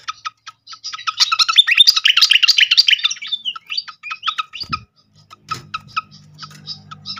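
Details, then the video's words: Srikatan flycatcher lure song used to provoke other birds into singing: a dense burst of fast chirps and twittered trills, then spaced sharp clicking notes, with a low hum near the end. "pancingan khas burung srikatan kipas"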